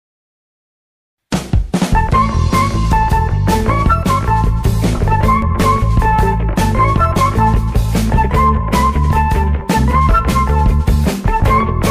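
Loud rock music with drums, bass and guitar starts after a second of silence and fills the rest; no animal voice is audible.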